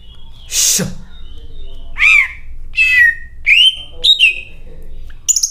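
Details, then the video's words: Greater green leafbird in a cage, its song stuffed with cililin imitations: a brief rustling burst, then separate loud whistled notes that swoop down or rise sharply, each roughly half a second apart, ending in a clipped high chirp. "CUCAK IJO MEWAH BONGKAR ISIAN CILILIN GACOR DOR"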